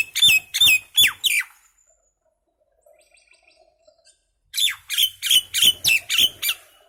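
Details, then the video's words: Common myna (Acridotheres tristis), a small bird, making noise: two bursts of loud, harsh, chirping notes repeated about three per second, four then seven notes, separated by a near-silent pause of about three seconds. "Mynah Bird (Acridotheres tristis), Little Mynah Bird making Noise"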